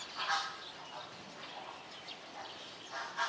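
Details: At Opole Zoo, greater flamingos utter scattered short, nasal honks, a loud one at the start and another at the end, with softer calls between over a murmuring background.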